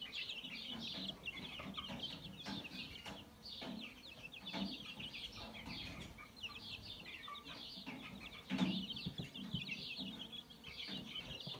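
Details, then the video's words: Mixed-breed chicks recorded on 22 January 2022, with a rooster nearby: a fast, busy stream of high, thin cheeping chirps overlaps constantly, with low clucking and scratching sounds beneath. "Mixed breed chicks. Chip chip they sing."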